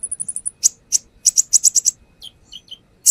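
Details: Lure song of a brown-throated sunbird displaying its song fill-ins: a quick run of very high ticking notes, loud sharp chips in pairs and triplets, a few lower slurred whistles, then a final sharp chip.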